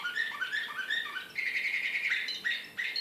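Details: Srpski slavujar canary singing in Belgrade, 2014: rising whistled notes repeated in quick steps, then a sustained bright rolling trill, followed by sharp higher chirps.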